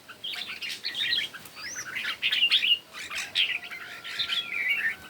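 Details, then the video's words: Red-whiskered bulbuls singing against each other in the morning, a continuous stream of quick bright chirps and whistled flourishes rising and falling, with a faint steady tone underneath. "Chim Chào Mào Hót Đấu Buổi Sáng"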